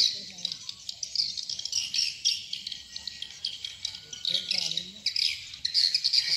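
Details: Lure call for swiftlet farming, "sp rambut lmb" style: rapid scratchy twitters and buzzes pour out in uneven bursts, with faint low hum and brief murmuring underneath.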